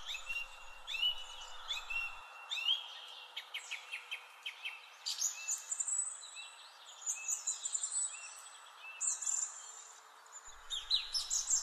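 A Song Thrush sings loud, clear phrases, each short motif repeated two to four times before switching to a new one. The notes range from sharp rapid clicks to ringing whistles.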